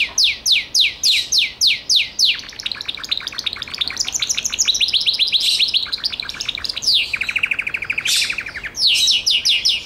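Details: Gloster canary song opening with a string of loud downward-sweeping whistles, moving into fast buzzy trills and a lower, even rolling trill before the sweeping notes return.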